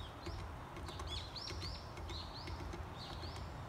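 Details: Varied tit in spring, feeding on sunflower seeds and hammering at them forcefully; short rising whistled chirps come in quick succession between sharp tapping knocks, over a steady low background rumble.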